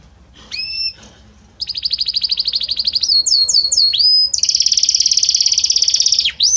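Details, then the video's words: Belgian canary with a harmonious, gradually evolving song: a single whistled note, then after a pause rapid high trills, a few looping whistled swoops and a long fast rolling trill ending in a downward sweep. "Magnífico Como canta este Canário Belga!"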